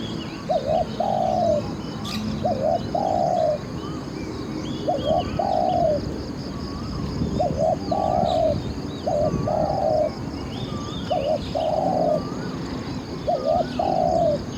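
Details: A spotted dove used to lure wild doves, a session yielding twelve captures, sings seven evenly spaced phrases about every two seconds. Each phrase is a double coo running into a long mellow croon, over distant small-bird chirps.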